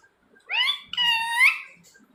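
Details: Rose-ringed parakeet giving two joined harsh, harmonic screeches. The first rises and the second is longer and level, ending in a sharp upward flick.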